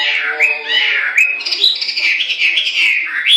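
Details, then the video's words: Hwamei pouring out an unbroken, fluid song of sweeping, slurred whistles and rich warbled notes that glide up and down without pause. "Amazing Hwamei Bird Singing"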